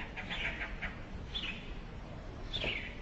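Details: Eurasian tree sparrows at a nest in a hole in a brick house, where the mother brings food to her chicks, give brief bright chirps in a quick cluster, then single chirps about a second apart, over a low rumble.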